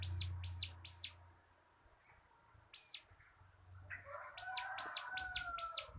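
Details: Local bar-winged prinia kept in a cage, a tutor song for training: clipped high notes with a flat top and abrupt drop, in spaced groups of three, then a faster run over a soft warble and low hum.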